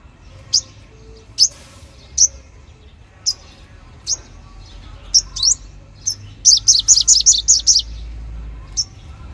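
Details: Sunbird song used to lure wild birds: sharp, high chirps spaced about a second apart, then a quick run of about seven bright, rising notes near the end, with a low background hum.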